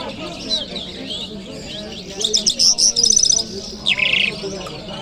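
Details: Lark, known locally as Jal Mashhadi, recorded in Kabul city on a Friday morning: a quiet start gives way to bright, high trilled phrases and rapid buzzy bursts, ending in a short dense rattle.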